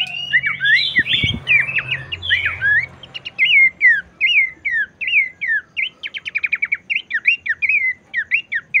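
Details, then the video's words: Singing Abbott's babbler, used to prompt other birds of its kind to sing. Dense slurred phrases first, then a steady series of rising-falling whistled notes broken by rapid trills. A brief low thump comes near the start. "cepat naikkan mental jadikan burung pelanduk semak lain makin gacor"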